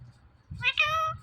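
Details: Talking Indian ringneck parrot repeating "Mithu": two quick nasal, buzzy syllables, the second longer and steady, over soft low background murmur.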